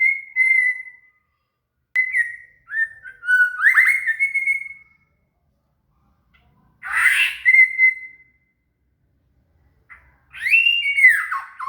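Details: Murai, the shama, in song meant for training a cililin: separate whistled phrases every few seconds, some steady, some sliding, a few with a rougher burst at the start, silent gaps between.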